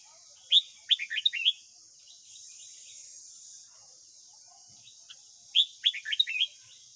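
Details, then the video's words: Red-whiskered bulbul, white-cheeked type, singing its morning song for training a young captive bird; two lively phrases of five or six rapid chirped notes, separated by about four seconds of quiet hiss. "Luyện giọng chào mào hót sáng | dùng luyện chào mào má trắng"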